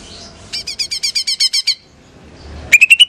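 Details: Female greater green leafbird, a caged pet from Banyuwangi, singing hard: a fast train of about ten sharp, identical metallic notes, a pause, then a new series of rising whistled notes.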